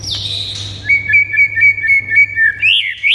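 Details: White-rumped shama song for provoking a silent bird into excited singing: a sliding high whistle, then a quick run of even, repeated whistled notes about four per second, ending in rising high notes, with a low hum.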